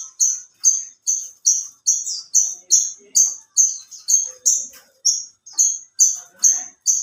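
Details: Alinea branjangan in active contest song: a very regular series of high, sharp whistled notes, a little over two per second, each note clipped and alike, with faint soft sounds far below.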